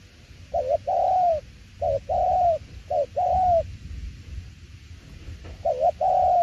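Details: A spotted dove's "tiểu liên nước" coo series: a quick burry note then a sustained soft coo, three pairs in a row, a quiet gap, then a fourth pair.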